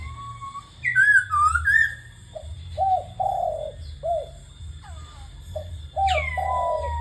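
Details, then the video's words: Spotted dove cooing mixed with laughingthrush calls: loud swooping whistled laughingthrush notes open, followed by low hooked dove coos and a long falling coo, over a constant background hum. "TIẾNG CHIM CU GÁY HOÀ QUYỆN TIẾNG KHƯỚU"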